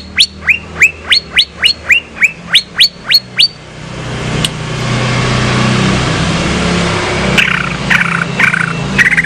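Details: Female greater green leafbird, a captive bird from Banyuwangi, delivers a fast, even series of about twelve sharp rising whistles. The bird is then drowned out by loud traffic or engine noise.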